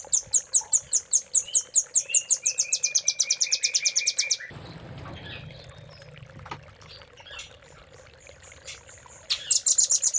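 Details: Velvet-fronted nuthatch training master with cililin-style filler: a long, fast, high trill over a descending series of short lower whistles, a quiet gap with faint chips, then a renewed dense high trill.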